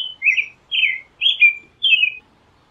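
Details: Sweet, warbling whistled phrases of an American robin, about four distinct caroled notes with slurred downward and upward inflections, separated by short gaps in a quiet setting.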